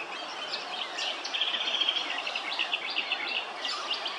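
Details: Willie wagtail at Hervey Bay, Queensland, giving quick, bright chattering chirps and sweet whistled notes, about two or three a second, with a faint hiss of background noise.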